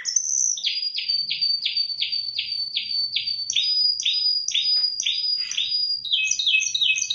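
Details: Spanish timbrado canary, kept in Indonesia, delivering a long run of evenly spaced downward-sweeping notes under a sustained high tone, speeding into a quicker mixed trill at the end.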